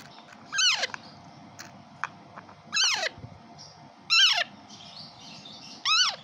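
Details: Hand-fed raw parrot chick, day 5, at feeding time: four shrill, wavering squealing cries descending in pitch, about one to two seconds apart, over a steady background hum.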